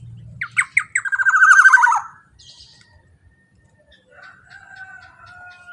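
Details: Loud Black-naped oriole phrase, a lure for other orioles: three or four clipped rising notes running into a rapid rasping trill that slides downward, then softer drawn-out whistles after a pause.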